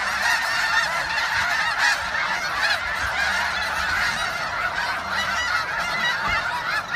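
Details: Huge flock of snow geese during spring migration on Westham Island, Delta, British Columbia, at George Reifel Bird Sanctuary, March 24, 2015: dense, continuous chorus of overlapping high, yelping honks, with individual calls standing out from the roar.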